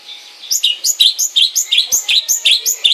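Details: Long-tailed shrike kept at home, singing a rapid run of sharp, chirping notes, each dropping from high to lower pitch, repeated about four times a second after a quiet start.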